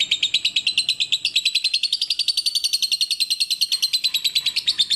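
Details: Lovebird training song, clear and rhythmic: rapid scratchy chips that step up slightly in pitch after the first second, then run on evenly, with a brief lower note near the end.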